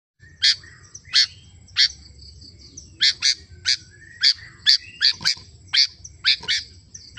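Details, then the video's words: Sooty-headed bulbul (kutilang) calling in lively 'gacor' style: sharp, bright chirps, each a short burst, repeated at irregular intervals of roughly half a second to a second, with faint low rumble beneath. "Suara kutilang √ gacorr"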